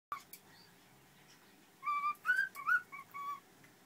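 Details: A pet cockatiel, untamed but unafraid of people, talks ("How you doing, hi" and its name) and whistles: a quick run of clear whistled notes, some sliding up or down, like mimicked words.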